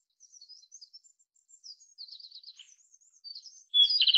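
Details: Japanese robin, Erithacus akahige, singing: a thin, high run of quick twittering notes and short trills, fairly faint at first, ending in a louder, rapid high rattle in the last half second.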